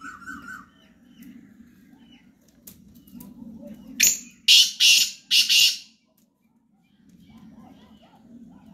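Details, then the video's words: Morning call of a black francolin: over a low steady hum, a fast series of four loud, grating, scratchy notes, the last three run together, then quiet. "Kala Teetar | Teetar ki Voice | Teetar Morning Sound | Black Partridge Voice"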